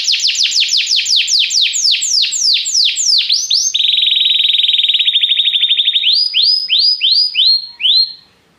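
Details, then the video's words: Canary song played as training to prompt a canary to sing: fast series of downward-sweeping whistled notes, then a long rapid trill held steady, then looser rising-falling whistles slowing toward the end. "Este canto canário inspira o apetite do seu canário para cantar imediatamente"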